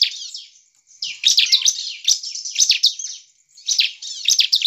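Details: Bar-winged prinia calling loudly to incite other prinias: near-continuous high, wavering squeaky chatter broken by a short gap at the start and another near the end.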